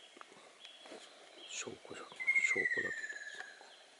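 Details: An old Ruddy kingfisher, having moved into dense woodland, gives a single long whistled call sliding steadily downward; a popping sound as its bill closes, faint human voices behind, and low thumps like footsteps nearby.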